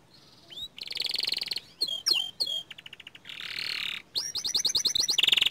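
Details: Young canary in varied song, soft at first, with buzzy trills, sharp swooping notes, quick repeated chirps and a final rapid rattling trill.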